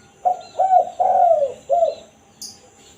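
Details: A single phrase from a spotted dove in 'kukur kuk satu' style, used to call in wild doves: four hoarse coos, the third long and gently descending, ending with a short clipped note.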